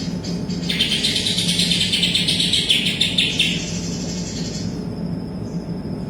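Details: Vigorous song of a greater green leafbird carrying kapas tembak imitations: a fast, buzzy, warbling run of three seconds with fine rapid repeats, then quieter thin high tones. Constant low background hum.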